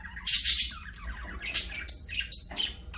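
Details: Pet budgerigars singing while playing, giving bright high chirps and short buzzy warbles in quick irregular bursts, with brief pauses between.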